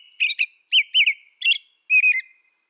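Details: Dense caroling from an American robin, with five or six rounded, looping whistled notes delivered in under three seconds, some doubled, the last one sliding downward.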